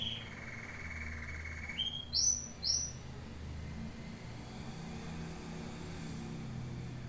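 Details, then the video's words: A domestic canary (Serinus canaria) gives a sustained, slightly falling whistled note, then two sharp, very high chips before going quiet over a steady low hum. "Canto do CANÁRIO DOMÉSTICO"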